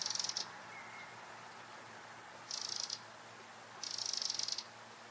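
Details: Eurasian wren singing in the Eifel, giving three bursts of very high, fast rattling trill, each under a second, separated by pauses; faint background hiss throughout.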